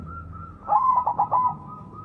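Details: Loud-voiced white zebra dove, kept to prompt other doves into song, gives one cooing phrase: a soft lead-in, then a long coo breaking into three or four rapid bubbling notes, with background humming.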